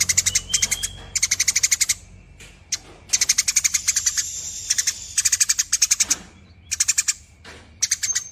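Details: Eurasian tree sparrow in long chattering mode: bursts of harsh, rapid metallic chips, roughly ten per second, each lasting under a second, separated by brief gaps and faint softer notes.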